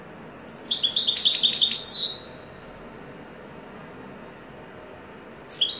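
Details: Goldfinch song in wedani style: a rapid burst of bright, jangling high notes lasting about a second and a half, ending in a falling buzzy slur, a long pause, then a new burst beginning.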